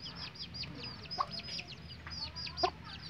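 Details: Hen with chicks, Indonesian village chickens (ayam kampung), settling down to sleep: quiet, thin high downslurred peeps from the chicks, with two short soft clucks from the hen against faint background hiss.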